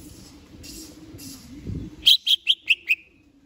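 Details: Greater green leafbird in a cage, ready for a singing contest, giving a rapid series of five sharp, bright rising chirps after a stretch of faint murmuring background noise.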